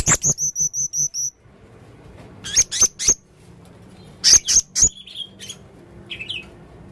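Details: Male Blue-crowned hanging parrot, actively vocal, making strange sounds: a rapid run of shrill, very high chirps, then spaced sharp squeaky notes in two bursts, ending with brief higher twitters.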